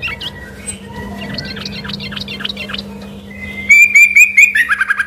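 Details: Bulbul song taken at first for a white-rumped shama: soft, scattered whistles give way to a loud, rapid trill of bright repeated notes at the end, steady hum in the background.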